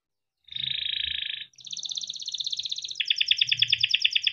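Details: Young canary's rolling trills for tutoring juvenile birds: a held buzzy trill, then a higher rapid pulsing roll and a lower vibrating rattle, fairly quiet, with faint low background noise.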